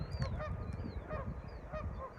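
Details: Several geese on a reservoir along the Owyhee Uplands Byway, Idaho–Oregon sagebrush country, honk in quick, nasal bursts, a few each second, on a morning in a standoff, over low wind and engine rumble.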